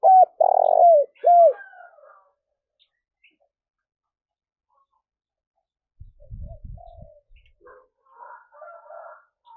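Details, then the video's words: Spotted dove call used to lure wild doves: three loud hooked coos open the recording, the middle one drawn out, followed by quiet low thumps and faint chirpy notes. "cu gáy// tieng cu gay thuc boi ve coi hiệu quả nhất"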